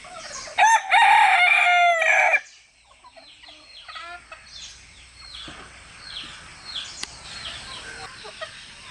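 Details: Rooster crowing to communicate with other roosters; three cocks and their hens are present. A short opening note leads into a strong, harmonic crow of nearly two seconds, followed by steady chirping of small birds.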